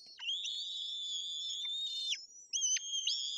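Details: Young white-tailed eagles in a Tuchola Forest nest, Poland, waiting to be fed by the female, 8 June 2022. Sustained high, piercing whistles with brief downward slurs, ending in short rising whistled notes.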